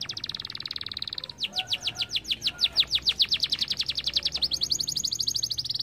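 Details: Canaries singing: a rapid, very high buzzing trill, then a run of loud, quick downward-sweeping notes repeated several times a second, finishing with an even faster, thin, high-pitched trill.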